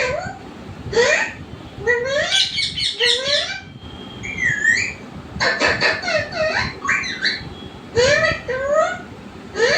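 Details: Domestic parrot giving mimic-like vocal phrases: rising harmonic glides and wavering syllables, bursts of rapid clipped notes, and a thin whistled swoop, with brief pauses between groups.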